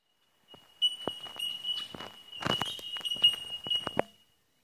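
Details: Bell miners calling at D'Aguilar National Park near Brisbane, Australia: a steady, high, ringing tone held throughout, brightening in short pulses, with loud footsteps crunching repeatedly over it.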